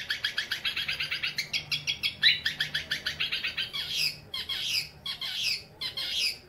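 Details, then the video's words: Young male long-tailed shrike, eight months old, in rich varied song used for training other birds: a long fast run of even rasping notes, then broader scratchy squeaky phrases. "burung cendet gacor full isian umur 8 bulan"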